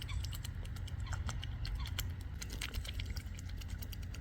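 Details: A pair of mute swans feeding at RSPB Ham Wall, Somerset Levels, having sat feeding there most of the day, make a fast, irregular patter of wet clicks and dabbling smacks over a steady low rumble of wind.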